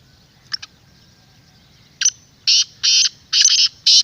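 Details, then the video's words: Black francolin used to draw wild birds into calling: two faint clicks, then a loud run of harsh, buzzy, grating notes, each about a third of a second long and repeated rapidly. "پوری ویڈیو کی آواز اپنے تیتر کو سناؤ انشاءاللہ جنگلی بھی بولنے پر مجبور ہو جائے گا"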